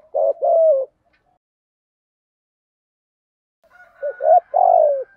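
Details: Spotted dove giving 'giọng thổ' style cooing used to lure wild doves and train birds: a short two-note coo, a long silence, then a three-part coo phrase ending in a drawn-out, falling note.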